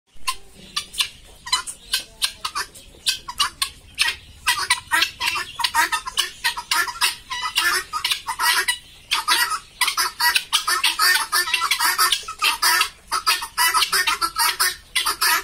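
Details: Helmeted guineafowl on a farm in Bongaigaon give harsh, rattling cackles in rapid, uneven bursts, several birds calling together.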